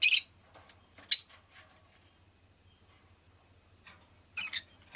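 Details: Pet rosy-faced lovebird giving scattered, softer high chirps with a few sharp louder notes at the start, middle and end, over a faint low hum.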